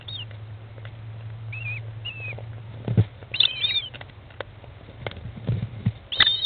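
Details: In a nest box on 20 May 2011 at 13:54, an American kestrel mother feeds her 15-day-old chicks; scattered high wavering squeals, a brief clustered burst near the middle, over a steady low hum and knocks.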